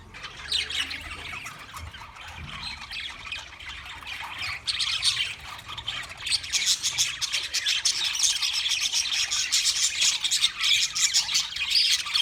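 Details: Wild budgerigars chirping: rapid, twittering high notes that start softer and build into a louder, denser chattering chorus toward the end.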